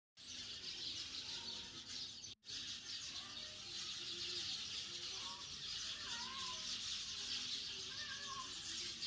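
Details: Sparrows gathered in a home yard, a dense, continuous chorus of high, overlapping chirps and twitters from many birds with no pauses. Occasional lower whistled notes and faint wingbeats appear beneath, with one brief break near the start.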